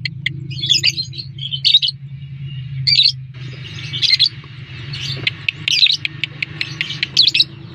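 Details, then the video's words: Lovebird lure call to prompt a reply from other lovebirds: scattered squeaky chirp bursts and short ticking notes, spaced irregularly, over a steady low-pitched hum. "Suara pancingan burung lovebird, dalam 30 detik lovebird anda pasti respon."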